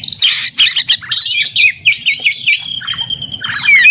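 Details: Oriental magpie-robin in energetic, combative contest-style singing, used to provoke caged magpie-robins into song: rapid bursts of high, slurred whistles and scratchy chattering notes, with sweeping upward and downward glides and a long whistled run near the end.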